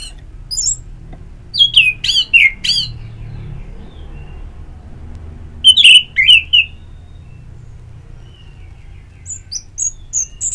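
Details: Orange-headed thrush used as therapy sound to prompt singing: short bursts of three to five sharp, rapidly repeated whistled notes, with a pause between bursts and faint high chirps near the end.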